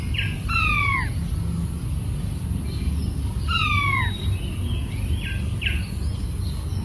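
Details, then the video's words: Two clear downward-sliding whistles from a king quail, about three seconds apart, then a few brief soft chirps, all over a constant low background hum. "Funny Sounds of the King Quail: Whistles Chirps and Gentle Cooing"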